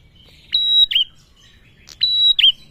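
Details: Two crisp phrases from a male bar-winged prinia lure call: a click, a held high whistle, then a sharp down-curling note, about 1.5 seconds apart.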